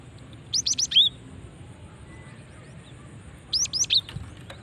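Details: Female cinereous tit luring other birds: two bursts of high rising chirps, each ending in a slurred whistled note, about three seconds apart against low steady hiss.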